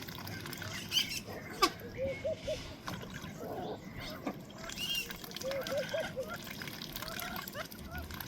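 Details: Ducks eating in a pond, a mixed group including black-bellied whistling ducks, South Georgia pintails and freckled ducks: splashing and dabbling, with a few short groups of soft calls and occasional sharp splashes.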